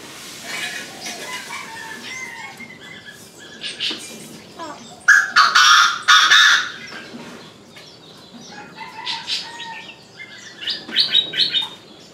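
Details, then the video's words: Three lovebirds perched atop a crape myrtle tree give bursts of harsh squawks and high chirps, loudest in a dense cluster midway, with quieter chattering before and after and faint background noise. "Ba chú vẹt lùn đậu trên ngọn bằng lăng"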